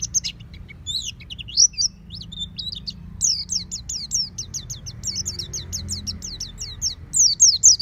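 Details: Home-kept oriental white-eye in ngeplong song: a few scratchy, varied high notes, then a fast, regular run of thin, steeply falling twitters, with a low hum underneath.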